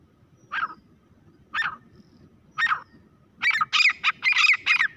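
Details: Grey francolin calling: three spaced harsh notes about a second apart, then a quick run of loud, ringing, rasping notes packed closely together near the end.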